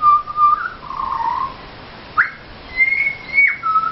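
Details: Wild Pied Butcherbirds singing while begging for a feed at a home near Mt Gravatt: pure whistled notes, a level held tone, then a lower wavering note, a quick upward slur and higher sustained whistles.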